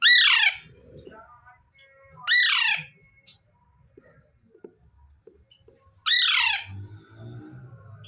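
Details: Alexandrine parakeet, a young caged parrot, calling in the morning: three loud harsh descending squawks spaced a few seconds apart, with quiet room sounds between.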